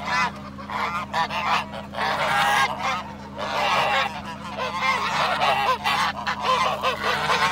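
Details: Swan goose on the attack, giving loud, harsh, nasal honks in rapid irregular bursts, several overlapping and slurred together, over a steady low mechanical hum throughout.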